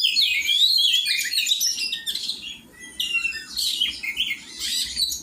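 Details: Kacer, or Oriental magpie-robin, singing in a shared training session: bursts of high chattering and whistled phrases, with a brief lull midway before the song picks up again.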